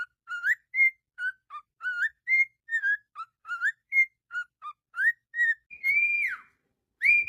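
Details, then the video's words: Singing cockatiel delivers rapid chains of clean, tuneful whistles, each note a brief upward or downward slur, ending with a longer drawn-out whistle. "calopsita cantando"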